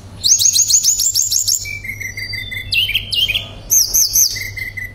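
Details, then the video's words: Singing tledekan pring shortwing, gacor therapy song with nembak and ngerol: a fast trill of about nine high repeated notes, a low steady whistle, sharp falling slurs, then another quick high rolled phrase. "Terapi BURUNG TLEDEKAN PRING gacor nembak dan ngerol"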